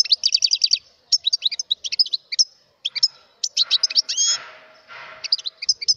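A European goldfinch sings a fast, tinkling twitter of high liquid notes and quick trills, broken by a short buzzy wheeze and brief pauses.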